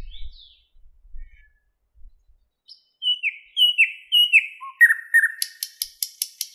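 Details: A Thrush nightingale (Luscinia luscinia) singing in a Moscow park at 08:15 on 11 May 2016: loud, slurred whistles falling in pitch, then a fast, hard, rattling run of repeated clicks after a near-silent start.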